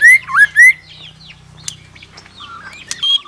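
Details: White-rumped shama, a wild-caught bird provoked into contest singing: two loud rising whistled notes, then quieter scattered twitters and whistles over a low steady hum.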